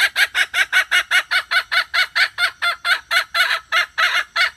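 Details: Hen calling, used as a lure; rapid harsh clucking notes repeated about two and a half times per second in a steady, even series without pause.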